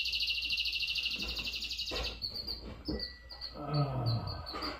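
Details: A red factor canary in full song, opening with a dense high rolling trill for two seconds, then breaking into short bright chirps repeated several times a second, with low rumbling background noise.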